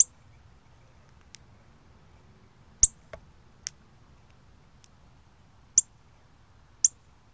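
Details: Cardinal calling on October 24, 2020: sharp, very high, clicky chip notes spaced a second or more apart, five loud ones with a few fainter ticks between, over a quiet low hum.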